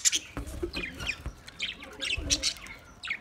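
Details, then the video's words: Budgerigars warbling in quick, twisting chirps and short squeaky whistles that rise and fall, with a few soft low knocks in between. "Budgies parrot awaz"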